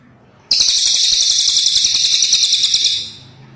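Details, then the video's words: Cililin bird singing one loud, very high, dense buzzy trill of rapid even pulses that lasts about two and a half seconds, starting abruptly and fading out, in an otherwise quiet setting. "Suara burung cililin ASLI"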